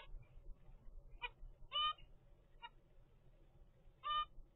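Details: Twenty-five-day-old zebra finch chick from a first captive clutch, uttering a handful of nasal, trumpet-like beeps spaced unevenly over a few seconds against a low room hum.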